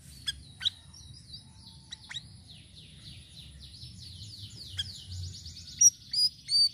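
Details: Sirisiri song variation for luring birds: scattered sharp ticks, then a long rapid series of descending high buzzy notes, ending in loud bright chirps. A low hum sits beneath.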